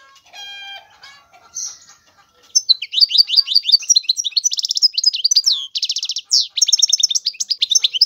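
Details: Singing European goldfinch, preceded by faint low tones, then a lively, continuous stream of high twittering notes broken by dry buzzy trills.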